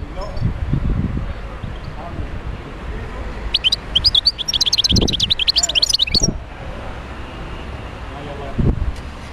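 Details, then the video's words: European goldfinch from the wild near Médéa, heard mostly as quiet background noise with occasional low knocks. In the middle comes a single lively burst of fast, tinkling twitters and trills lasting about three seconds. "تغريد حسون خلوي(المدية)"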